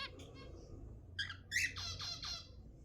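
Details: Zebra finch calls played to encourage mating: a few short nasal, harmonic notes, then a quick run of four or five louder honking beeps, over a low indoor hum.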